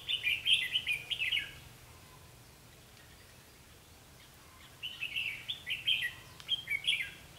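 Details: Red-whiskered bulbul used as a decoy in trapping, singing to fight. Bright warbled phrases of quick rising and falling notes come in two bursts separated by a quiet gap, then a man speaks.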